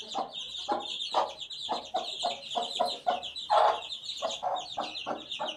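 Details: Chicken chick at eighteen days, chirping continuously in high thin peeps over roughly twice-per-second tapping pulses, one louder burst midway.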